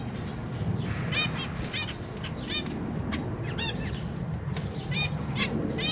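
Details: Captive zebra finches, parents busy feeding newly hatched and juvenile young in a big cage, give short, nasal, harmonic calls over a steady low rumble of background noise.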